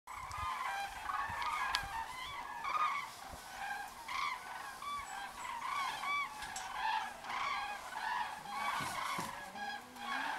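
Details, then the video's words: Common cranes returning to their roost in a long line, giving many overlapping trumpeting calls with harmonic bands, steady chorus of birds throughout with faint low rumble underneath. "Les Grues cendrées (Grus grus) rentrent au dortoir"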